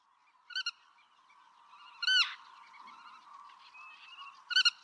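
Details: [['Black-tailed godwit (Oriental form) in Pingtung County, Taiwan, recorded 6 October 2015 as a passage migrant: three short nasal harmonic calls spaced a second or two apart over a steady background hum.']]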